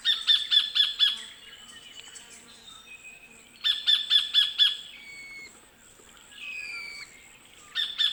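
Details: Sacred kingfisher recorded in the Australian bush of Wollemi National Park: bursts of loud, sharp 'kek-kek-kek' notes, about five per burst, repeated every few seconds, with drawn-out squeaky slurred whistles between bursts and other faint birds behind.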